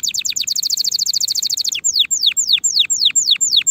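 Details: Song of a canary used to tutor fledglings early for the next season: a rapid chattering trill of downward flicks for nearly two seconds, then seven slower, evenly spaced, steeply falling whistles.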